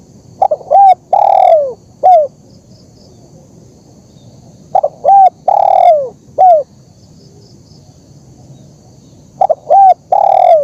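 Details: Spotted dove (terkukur) in a lure and training recording: three similar phrases about every four seconds, each two quick short notes, a long drawn-out falling coo and a final short coo.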